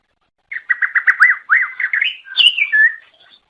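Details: Greater green leafbird, singing to lure other leafbirds, gives a continuous warbling phrase of rapid rising-and-falling whistled notes that ends in a higher clear whistle.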